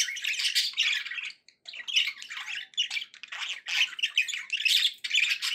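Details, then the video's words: Loud, continuous budgerigar warbling from pet birds: harsh squawks, rapid chirps and raspy chatter tumble together with only one short break. "budgie sounds to encourage your parrot to eat and sing"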